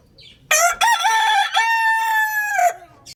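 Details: A rooster crows once, a loud, strained cock-a-doodle-doo of about two seconds, broken into a short opening note and a long, held, slightly falling ending.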